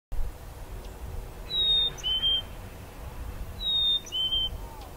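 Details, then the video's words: Chickadee at Boundary Bay on 6 January 2018 sings a clear two-note whistle, a high note dropping to a lower one, given twice about two seconds apart over faint background hiss. "Singing chickadee"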